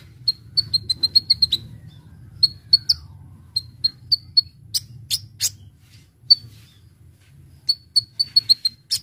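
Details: Lively Brown-throated sunbird (Konin) song, used to lure birds: quick runs of thin, piercing high notes at a steady pitch, then spaced single chirps and a few buzzy bursts, with faint low background hum.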